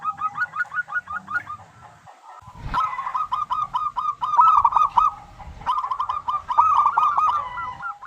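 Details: Zebra dove of the local type, singing as a lure to prompt other doves to answer: rapid rolling trills of short cooing notes, several runs in succession, with a faint low rumble beneath.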